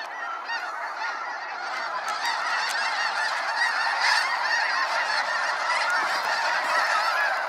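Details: Huge waves of snow geese flying out at sunset over Sacramento National Wildlife Refuge, loud dense honking that swells steadily over the clip.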